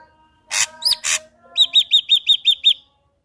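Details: Energetic ashy drongo song used as a lure to make another ashy drongo sing: two coarse rasps around a hooked whistle, then seven rapid, evenly spaced bright chirps.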